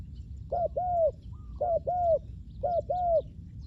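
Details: Lure spotted dove for catching wild doves, calling three paired coos, a clipped opening note then a drawn-out hollow one, spaced about a second apart over a quiet background.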